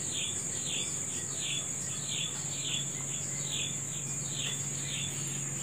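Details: Morning birdsong in natural surroundings: short bright downslurred chirps repeat about twice a second for the whole stretch, while a steady high, shrill insect drone runs underneath throughout.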